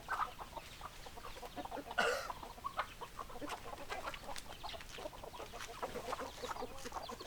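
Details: Flock of chickens clucking, a continuous patter of short clucks overlaid by one louder harsh squawk near the start, other birds chattering softly throughout.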